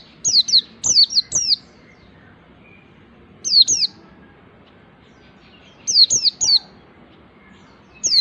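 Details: White-eye in ngalas song, learning the nembak style, delivers loud trios of quick falling whistles, then pairs, with silent gaps of about two seconds between bursts.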